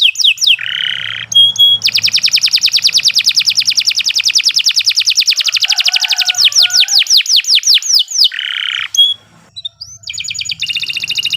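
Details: Canary, kenari, singing a long continuous master song used for training other birds: rapid trills of repeated notes, long buzzy rolls and swooping whistles, changing phrase types without pause, with a faint low hum beneath.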